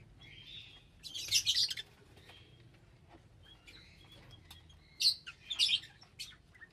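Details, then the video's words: Two bouts of loud, grating lovebird screeches a few seconds apart, with soft thin chirps in the quiet stretch between them. "Love Birds Nature Sound"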